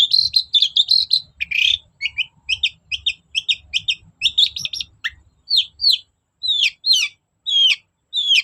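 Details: Long-tailed shrike recording played to provoke singing: a dense run of chattering, scratchy notes, then a slower series of clear downslurred whistles.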